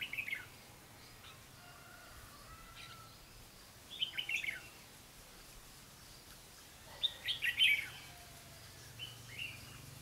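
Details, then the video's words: Red-whiskered bulbul lure bird during trapping, 4 November 2016: three separate bursts of bubbly chirping phrases spread across ten seconds, with quiet gaps and faint background noise between them. "Bẫy chào mào lăng xăng mau mỏ"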